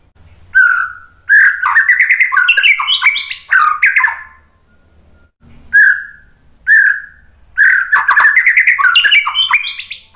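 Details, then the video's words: White-rumped shama singing to lure other birds into answering, in bursts of loud chattering warbles with clicks and rising buzzy notes, separated by short pauses, the last burst the longest. "KICAUAN MURAI BATU memancing BUNYI jadi NYAUT GACOR NGEPLONG BONGKAR ISIAN ¦ PANCINGAN MURAI"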